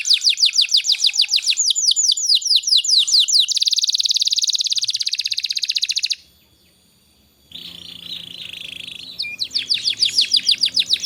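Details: Canary song for prompting young canaries to sing; quick downslurred whistles, then a dense high buzzy trill, a brief silence, a lower warbled phrase, and fast repeated whistles again.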